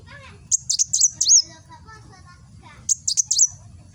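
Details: Sunbird called kolibri wulung singing nembak for training cage birds, East Java: two short flurries of shrill high chirps ending in a slurred whistle, with faint lower murmuring sounds between.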